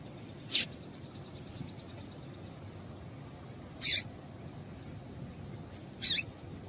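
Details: Female yellow-bellied seedeater calling to prompt a male to sing. Three sharp, noisy chip notes come roughly every two to three seconds against a quiet, faintly humming background.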